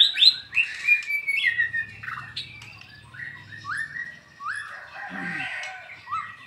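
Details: White-rumped shama kept in a cage, sung in the afternoon beside another shama from Medan for training; loud rising and falling whistles in quick succession, with a low hum underneath.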